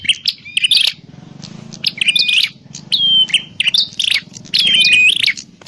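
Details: Prinia calling, played as a lure for trapping: irregular bursts of sharp chirps, some ending in a clear level whistle, separated by short gaps, with a persistent low hum.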